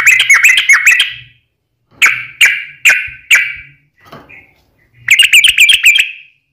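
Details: Yellow-vented bulbul's fighting song for provoking other bulbuls: a rapid bubbly burst, four spaced sharp whistles, a faint note, then another quick rippling flurry.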